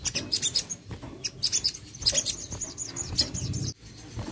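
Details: Crested jay (sogon) call used to prompt a lazy bird to sing: a rapid series of high, sharp chirps repeated about twice a second, steady for nearly four seconds before stopping abruptly.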